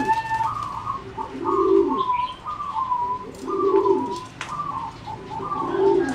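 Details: Competition-bred singing zebra dove, caged in a flight cage, 30 April 2014. Loud, clear coos carry a mellow lower tone under a higher purring line, swelling in phrases roughly every two seconds, with faint chirps behind.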